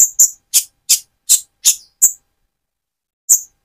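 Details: Van Hasselt's sunbird in speckled plumage, calling to provoke another bird. A fast run of seven sharp, high chips, then a pause and one final chip.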